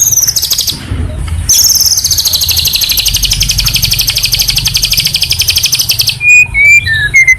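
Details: Master recording made to train a caged white-rumped shama: a very high, fast rattling trill held for several seconds, followed by a few clear, short downslurred whistles, with a low background hum.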